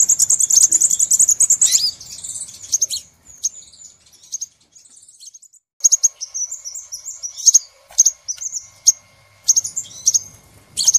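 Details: Crimson sunbird lure call used for trapping birds: rapid high buzzy trill at the start, then sparse sharp chips and short twittering phrases separated by brief silences.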